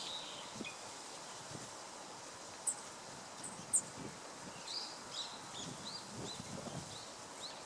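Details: Black-faced bunting (Emberiza spodocephala) at the Tama River on 2 January 2013, giving two thin, very high 'tsip' calls about a second apart, with faint softer notes, over steady rustling outdoor background.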